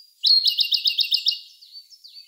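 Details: Siberian blue robin song, May 2021, Sony A1: a loud, rapid, rattling trill of about ten repeated notes, fading into a few thin, high whistled notes.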